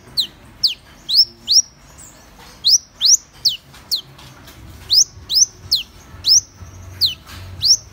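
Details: Thin, sharp notes from a Van Hasselt's sunbird, mostly quick upward and downward sweeps given in pairs and small clusters with short pauses, no trill.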